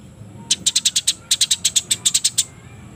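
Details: Eurasian tree sparrows fighting, plumage wet, before dusk: sharp, high chirps in rapid series, about six per half second, in two bursts separated by a short pause, over a faint low hum.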